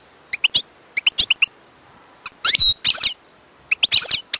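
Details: Wild European goldfinch singing: short bright chirps in quick clusters, then denser tinkling twitter bursts with a few thin slurred whistles, all high-pitched over a quiet background.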